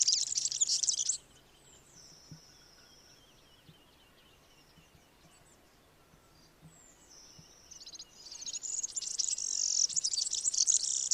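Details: A European serin sings its rapid, liquid, jingling, very high-pitched twitter of notes chaining together in dense bursts, with a quieter pause of thin high notes in between.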